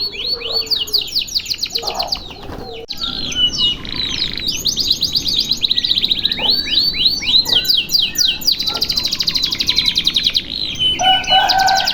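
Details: Canary pouring out a long loud song without breaks: rolling trills, repeated swept notes and buzzy runs, with a brief pause near the start and other chirps mixed in.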